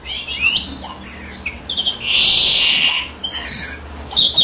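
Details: European greenfinch singing as the female sits on the nest: rising twittered notes lead into a long, loud nasal wheeze held for about a second, followed by further chirps.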